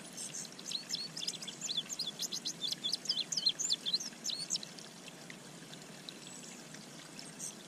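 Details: A male indigo bunting sings in spring (May 25, 2023) as he approaches a bird pond: a bright, high, rapid run of paired notes lasting about four seconds over a steady wash of running or splashing water.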